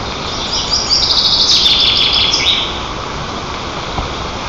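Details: High shrill chittering series, notes stepping in pitch, from White-tailed eagles at a camera-watched nest in Tatarstan's Nizhnyaya Kama National Park, 18 June 2024, while young birds tease a sibling and flap wings; hiss continues after.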